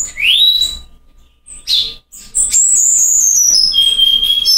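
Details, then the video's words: Cuban bullfinch in Cuba singing a rare "Silvao"-type song: thin, high whistles, a quick rising note, a short pause, then a long sweeping whistle that slides slowly downward. "Negrito cantando Silvao"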